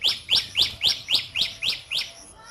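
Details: Sparrow chirping while feeding its young: eight loud, sharp chirps repeated evenly about every quarter second, then trailing off into quiet.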